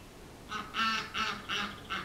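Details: Runner ducks visiting a yard: a run of four or five coarse, rasping quacks delivered rapidly and evenly, with a faint low hum behind them.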